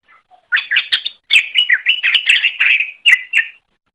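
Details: Greater green leafbird singing for a training recording: after a faint opening note, sharp chirps lead into a fast, unbroken chain of slurred, warbled whistles, ending with two separate short phrases; no other sounds.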